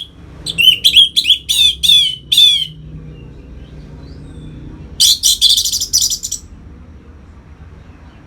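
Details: Captive orange-headed thrush delivering 'ngeplong' song used to push birds into breeding mood; a series of short rising whistled notes, then after a lull a dense burst of scratchy chattering notes, with soft background hum.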